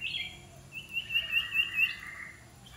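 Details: Iora being trained as a decoy gives a short buzzy note, then a sustained pulsing trill with a softer lower buzzing underneath.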